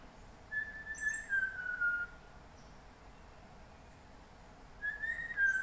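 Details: MacGregor's bowerbird (Amblyornis macgregoriae) singing in rainforest, Papua New Guinea: a drawn-out whistled phrase slurring gently downward over about a second and a half, repeated after a pause; faint higher chips and forest hiss behind.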